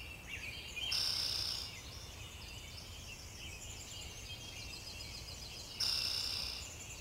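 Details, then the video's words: Pine siskin with two loud, sustained high buzzy notes about five seconds apart, each lasting under a second. Faint high chirps come in between over a low background hiss. "pine siskin"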